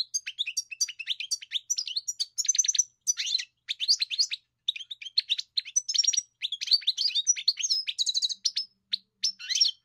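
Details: Long sequence of European goldfinch song: crisp repeated chips, short rattling trills and bright twittered phrases in steady bursts; otherwise quiet.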